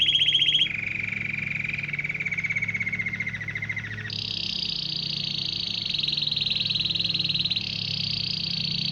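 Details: Canary whose singing attracts many canaries, goldfinches and various wild birds; a brief high note, then a long lower rolling trill, switching to a bright, high, continuous rapid trill with a slight pitch shift.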